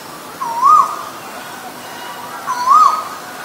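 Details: Male and female Asian koels recorded together; here two loud rising whistled calls, each swooping upward and then falling slightly, spaced about two seconds apart against a calm background.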